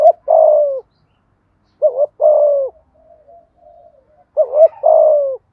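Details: Low, mellow spotted dove coos in the 'thúc gù' style used to provoke wild birds. Three phrases, each a short double-peaked note followed by a drawn-out falling coo, with quiet soft notes in the gaps.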